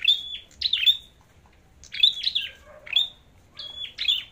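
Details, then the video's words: Flowerpecker in a singing competition: pairs and clusters of very high, thin, clipped notes, each a sharp flick followed by a level tone, separated by short silences in a quiet setting. "Chim Sâu Đầu Đỏ Hót Đấu"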